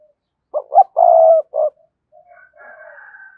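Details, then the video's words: Cườm sa spotted dove giving one loud coo phrase, two quick low notes, a long steady hooting note and a short final note. Soft chirping from another bird follows. "cu gáy thúc gù CƯỜM SA, cu gay kich boi nhanh noi gù"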